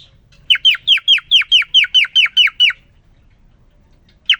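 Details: Cockatiel male, isolated for three days and then given a female cagemate, singing to her: a run of around ten loud, falling chirps at a steady quick pace, a long silence, then the next run beginning.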